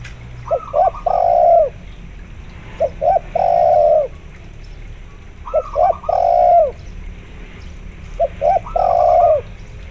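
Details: Spotted dove calling actively over a local zebra dove lure recording. Four regular phrases of paired short coos ending in a long, slightly descending coo, each joined by higher rippling zebra dove trills.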